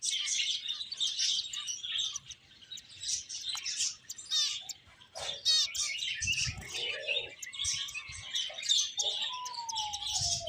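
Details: Many finches chirp busily in high, scratchy trills, with one clear falling whistle toward the end and occasional soft low bumps.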